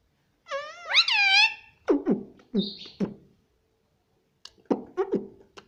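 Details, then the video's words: Indian ringneck parrot, a talking pet, saying "mummy" indoors: a loud, rich phrase with rising and wavering tones, then several short, nasal, speech-like syllables and scattered clicks. "non stop talking mummy || papa ka pyara mithu || cute Indian ringneck parrot"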